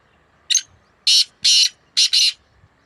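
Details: Black francolin, one of two birds in a hard calling contest, recorded in May 2024: five harsh, grating high bursts, one short then four longer in two close pairs, over quiet background.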